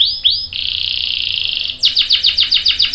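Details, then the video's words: Canary in 'gacor' song with long 'ngerol' roll, played to make other canaries join in: two rising whistled slurs, a steady buzzing roll over a second long, then a run of falling chirps. "PANCINGAN KENARI GACOR CUIT CUIT bikin NYAUT ikutan BUNYI Ngerol panjang | CANARY SINGING"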